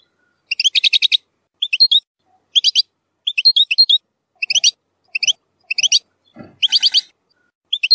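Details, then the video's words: European goldfinch song with strong nahrat phrases, used for tutoring young goldfinches: short clusters of bright, tinkling high notes repeated roughly every half second, with a brief low knock midway. "تغريد زلزال للتسميع صغار الحسون ،يحتوي على نهرات قوية"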